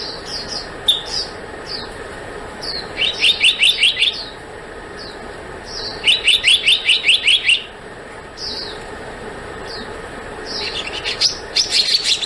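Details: Repeated calls of a black-naped monarch: rapid strings of six to eight sharp, ringing notes roughly every three to four seconds, separated by thin falling whistles, against a steady hiss.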